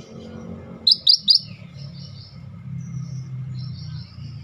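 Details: Scaly-breasted bulbul giving three quick, sharp, high notes in rapid succession, followed by faint thin high tones over a steady low rumble.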